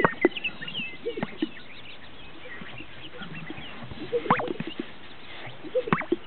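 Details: Displaying greater sage-grouse on a lek in northern Utah. Clustered pops and gulping plops with short swishing sounds come in groups at the start, middle and end, with scattered soft clucks from other birds in between.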